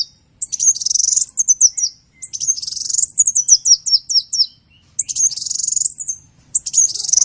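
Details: Training song of a sunbird for teaching other songbirds: four high, shrill bursts of rapid twittering, each ending in a string of quick descending chips, separated by brief gaps.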